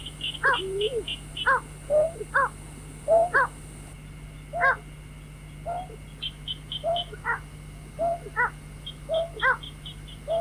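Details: Recorded white-breasted waterhen calling, used to attract birds for night trapping: irregular harmonic nasal notes and slurred inflected notes across ten seconds, with repeated bursts of high piping notes and a background electrical hum.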